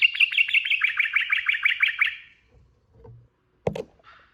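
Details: Quick, evenly spaced chattering notes, about three per second for two seconds, in sooty-headed bulbul ropel song, then quiet apart from a sharp click and a faint brief note.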